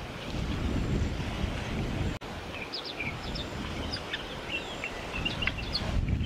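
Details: White-plumed honeyeater, known by the Aboriginal name Chickowee, recorded in Victoria, Australia, in December 2021. Short, sharp high notes come in scattered bursts over a heavy low rumble of wind or surf.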